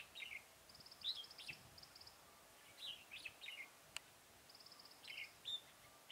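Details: Bulbul trapping at Chùa Hương, Mỹ Đức, 11 November 2017. A red-whiskered bulbul sings brief, chirpy, bubbling phrases, while another bird's thin, rapid rattling trill repeats in the background. One sharp tick is also heard.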